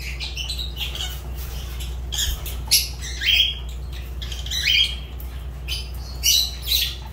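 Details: Piercing, scratchy calls from a Fischer's lovebird, several high shrill notes mixed with softer chatter, a low steady hum in the background.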